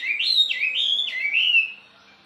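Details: Wambi bird song: a loud, clear whistled phrase that sweeps up and down in smooth waves over about one and a half seconds, then fades out.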